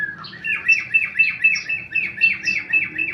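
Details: Tame male sooty-headed bulbul, a kept contest bird, singing in fast, rapid-fire form: rapid repeated whistled phrases around four per second, each a bright note dipping then rising, steady throughout with faint low background hum.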